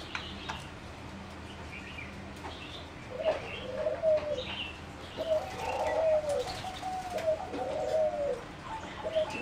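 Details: Bred competition singing zebra dove in a flight cage, 30 April 2014: after three quiet seconds, a run of short, soft cooing phrases rises and falls in a mid-pitched, rolling pattern. Faint higher chirps come from other birds.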